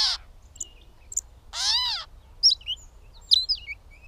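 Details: A catbird delivers a drawn-out, cat-like mew lasting about half a second, arching slightly in pitch, preceded by a brief mew and followed by a string of high, squeaky, varied chirps.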